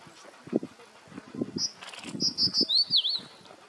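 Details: Crested bunting (Emberiza lathami) at Saswad in September 2021, giving thin, high notes: a few short clipped chips, then a quick wavy slurred phrase, after soft low thumps like wingbeats or rustling.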